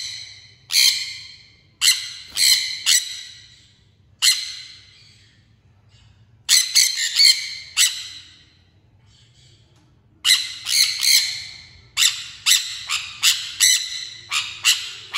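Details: Sun conure, labelled Guaruba guarouba (golden conure), gives loud, harsh screeches in quick bursts separated by short pauses.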